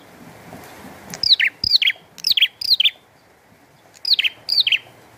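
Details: Bar-winged prinia in full song with rain: rapid, downward-swooping chirps, four in a quick series, then a pause and two more, over a soft, continuous rain hiss.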